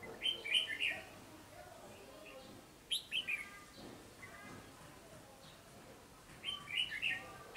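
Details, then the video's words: Wild-caught red-whiskered bulbul delivering brisk whistled bursts at the start, middle and end, with a man's speaking voice heard between the phrases. "Chào mào bổi siêng cầu tốc độ mỏ tốt"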